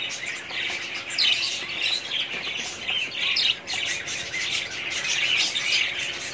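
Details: Breeding colony of budgerigars: busy, overlapping twittering and harsh squawky notes from many birds, swelling and dipping briefly around the middle.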